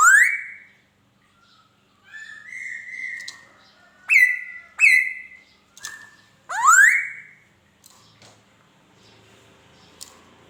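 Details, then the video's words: Laughingthrush singing a varied run of whistles: rising slurs, steady held notes and two sharp down-slurred calls, ending with a long upward sweep before fading into quiet. "Tiếng Chim Khứu hót"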